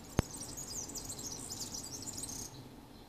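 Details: Singing European serin at Ķengarags, Riga, Latvia, on 13 June 2018: a thin, very high, jingling and buzzy twitter running unbroken for about two and a half seconds, faint over low background hum, with one sharp click at the start.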